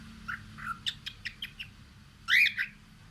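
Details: A cockatiel looking out a window sings a run of short chirpy notes, then a louder rising whistle near the end, over a faint low hum.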